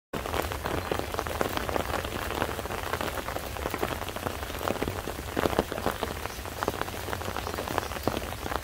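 Steady rain pattering on surfaces throughout, with no animal sound heard.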